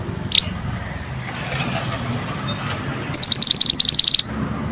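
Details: Pied bushchat (mantenan) in active song, used to encourage stressed birds to sing again: a single sharp note, a pause of nearly three seconds with background rumble, then a quick string of about ten high, clipped notes.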